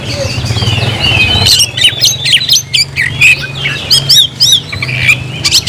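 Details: Oriental magpie-robin song calling an opponent to fight: sweet whistled phrases and sharp squawky notes in irregular bursts, about one a second, with a low hum steady behind them.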